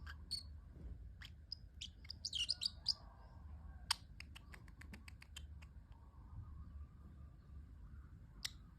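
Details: Pet parrotlet giving a few short, high squeaky chirps early on, followed by a run of sharp, dry clicks spaced unevenly, with one last thin chirp near the end over a steady low indoor hum.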